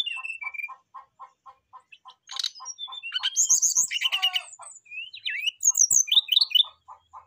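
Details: Brown-chested jungle flycatcher singing to call a rival: a steady series of short low chirps, broken by a loud jumble of buzzy trills, rich rattles and quick upslurred whistles.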